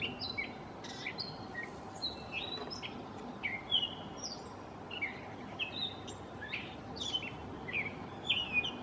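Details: Gray catbird mimicking in mockingbird fashion, delivering a rambling series of short, varied phrases, squeaky whistles, slurred notes and scratchy chips, with brief gaps between, against faint background hiss.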